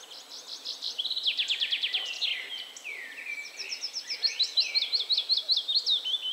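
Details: Willow warbler at 51.947828, 20.120565 sings a sweet, high phrase of soft notes that cascades downward, then a run of bright, repeated notes over faint background hiss.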